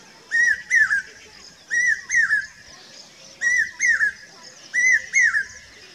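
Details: A common hawk-cuckoo in Rajasthan, India, sings loud, shrill whistled phrases of paired notes, repeated about every second and a half against a quiet background.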